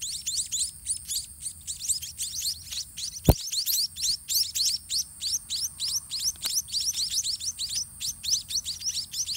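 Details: White-rumped munia chicks in the nest beg while parents feed them by regurgitation, in a thin, high, squeaky chorus of rapid overlapping chirps, about three a second, with one sharp click midway; White-rumped munia.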